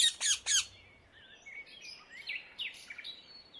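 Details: Free-flying Indian ringneck parakeet in the wild in the Netherlands gives three loud, harsh screeches in quick succession, then falls silent while faint whistles and chatter of other birds continue in the background.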